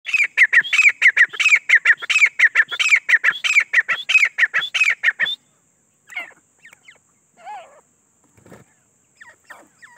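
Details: Grey francolin (teetar) calling in a fast run of about twenty harsh, ringing notes over five seconds. The notes are followed by a few scattered softer notes and a faint steady high tone.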